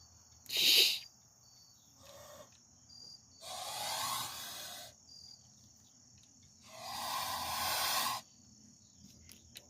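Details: A one-year-old male Sebastopol goose outside a back porch, recorded 14 September 2022 while being chatted to, gives a sharp short note, then two long breathy hisses a few seconds apart, over a thin high whine.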